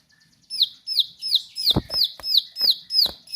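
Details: Bar-winged prinia singing loudly and persistently, with sharp, high notes sweeping downward, repeated about three times a second. Sharp broadband clicks or taps are mixed in.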